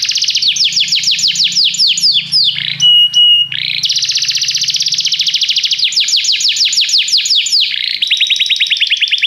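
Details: Canary singing in a training recording meant to make a canary sing more; long rolling trills of quick descending notes, broken by a short pure whistle, then more trills, closing on a lower buzzy roll.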